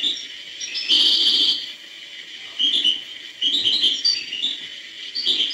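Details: Hbal-style European goldfinch song delivered in separate short phrases of high twittering and whistled chirps with quieter spaces between.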